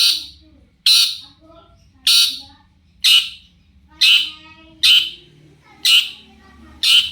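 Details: Long-tailed shrike used as a lure to make other shrikes respond: harsh, buzzy, broadband squawks repeated roughly once per second, each short and loud, with a quiet low hum in the background.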